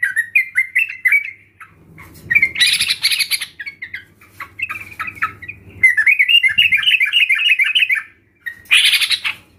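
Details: Sooty-headed bulbuls recorded as a crowd lure to make sluggish birds sing. Chattering warbled phrases alternate with loud harsh bursts, with several birds calling over one another and a faint low hum beneath.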